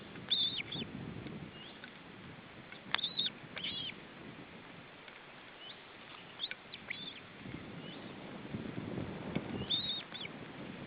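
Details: Chirping from an osprey nest at feeding time, July 2012: brief bunches of sharp, high chirps near the start, a pair a few seconds in and another near the end, with hissy background and low rumbles.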